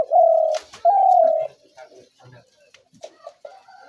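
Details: Two long, even, low coos from a spotted dove, each about half a second, the type of call used for trapping doves, then scattered soft clicks and faint short coos.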